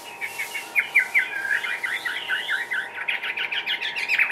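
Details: Caged Chinese hwamei from Vietnam giving quick chirping notes followed by a warbled whistle and a fast run of repeated notes, somewhat quieter, with a constant hum underneath.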